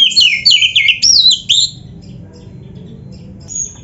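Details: White-rumped shama song, a training recording for caged birds: a loud run of rich whistled phrases sweeping up and down in quick succession for under two seconds, then near quiet with a faint high note.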